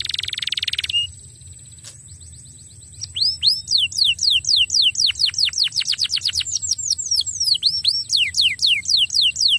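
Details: Lure song to get a silent canary singing again: a brief rapid buzzy roll, a pause, then a long, accelerating series of sharp downward-sweeping whistles repeated several times per second over a thin constant high tone.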